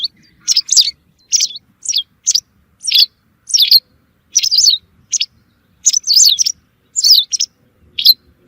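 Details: Lure sound for hunting white wagtails: a lively string of sharp, high chirps, often paired, each with a quick downward slide, continuing for over eight seconds.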